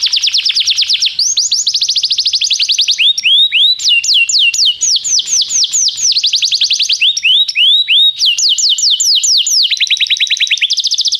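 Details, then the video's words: Canary song used as a tutor for a young canary in training: dense high-pitched tours switch every second or two, from rapid rattling trills to slower swooping whistles and back, loud and continuous. "canário cantando - professor para o treinamento do seu filho canário"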